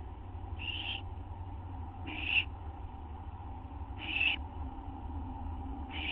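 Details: Nest-site owl recorded around 12:03 AM, September 6, 2011, during a food delivery: four rasping hiss bursts, each about a third of a second long, repeated roughly every one to two seconds above a low droning hum.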